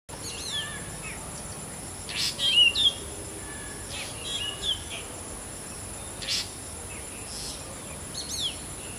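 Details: Black drongo, known locally in Bengali as ফিঙে, mimicking the call of a shikra: a few short, sharp downslurred notes, clustered around two to three seconds and again near five, over a steady high hiss.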